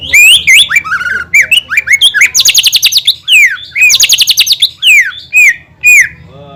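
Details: Greater green leafbird singing to trigger rival leafbirds: rich whistled phrases, rapid buzzy trills of stacked notes, and clear downslurred whistles, with faint low hum behind.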